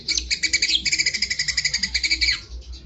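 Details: White-rumped shama delivering a dense, fast chattering song, bright notes pulsing about six times per second for nearly three seconds without a break.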